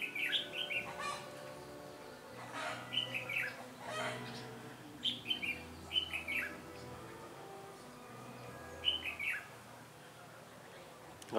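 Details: Red-whiskered bulbul singing in a trapping session on 13 January 2017, a fighting song to challenge rivals; short bright warbled phrases come in loose bursts every second or two over a steady low hum.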